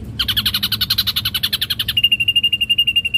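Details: An ashy drongo (Dicrurus leucophaeus) sings a fast burst of rich, chattering notes, about a dozen per second, then settles into an even run of clear, thin whistled notes.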